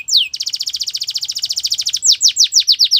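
A Belgian canary sings a high, fast rattling trill after a quick downslurred note, then a string of slower, sweeping downslurred whistles.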